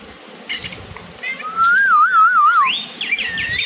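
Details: A talking Indian ringneck parakeet gives a few soft chattery notes, then a long quavering whistle that wobbles up and down, ending with a steep rising squeal and looping high notes.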